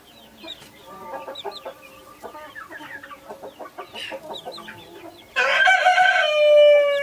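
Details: Mother hen of the Naked Neck breed with Brahma, Australorp and Sussex chicks: rhythmic low clucking with rapid chick peeps, then a loud, sustained, harmonic crow-like call over the last two seconds.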